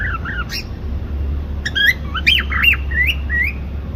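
A cockatiel sings a string of bright, warbling whistles and squawky chirps over a low steady hum.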